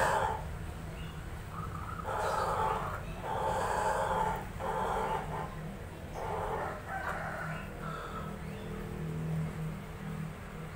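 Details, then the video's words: Ayam Ketawa laughing chicken crowing as a lure call to draw replies: a broken series of about six short, loud, harmonic bursts, unevenly spaced across ten seconds like rhythmic laughter, over a low steady hum. "pancingan suara ayam ketawa di jamin nyaut real"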